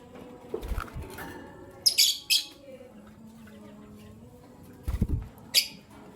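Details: Lovebirds of albino and Euwing green opaline colour chirp in the morning: a burst of three quick, harsh, high chirps, then a single chirp later, with dull thumps and soft rustling.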